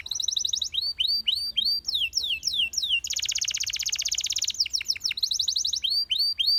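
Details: Canary singing a varied song: series of quick high downslurred whistles, then a long rapid buzzing roll held for about a second and a half, before returning to repeated sweeping notes.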